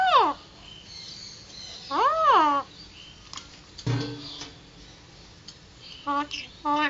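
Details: Pet Alexandrine parrot, a three-year-old male, talking at home. Several strong arched, nasal, voice-like syllables come in bursts, with short quieter clicks and gaps between, over a steady low room hum.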